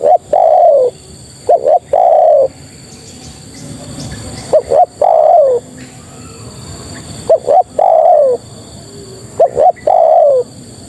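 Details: Female spotted dove giving its call to attract males, with repeated phrases of two brief rising notes then a mellow coo sliding down. Four phrases are separated by pauses of one to two seconds.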